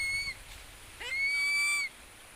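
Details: Stroked from head to toe, a Philippine eagle gives high, pure whistles. The tail of one is heard first, then a fresh call opens with a sharp upward swoop and holds level for nearly a second before lifting at the end.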